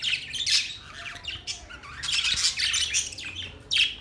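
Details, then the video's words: Budgies chattering in a continuous stream of harsh, buzzy chirps and squawks, dense and overlapping, ending in a loud abrupt squawk; faint low background hum. "Budgies chirping sounds"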